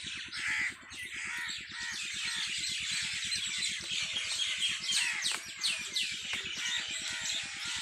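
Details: On a farm at evening, a crowd of birds chatters and chirps in a thick, busy wall of high notes, with a regular low machine-like pulsing running beneath.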